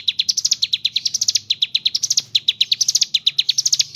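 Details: Steady ciblek gunung song, fast sharp chirps rising in repeated phrases with no pauses, a gacor ngebren delivery with kapas tembak filling.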